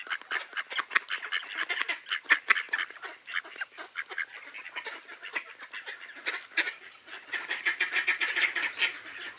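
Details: Greeting ducks at a door, Sainte-Adèle, Quebec, Canada, 11:56 AM on September 16, 2024, clear and 18°C; bursts of quick, raspy quacks come in waves, fading briefly and then surging again toward the end.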